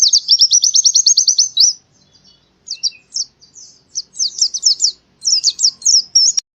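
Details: High, rapid white-eye chirping from Central Java, Indonesia, sung as in the forest: a steady trill of sharp notes for under two seconds, a gap, then clustered bursts of thin, quick, slurred chirps.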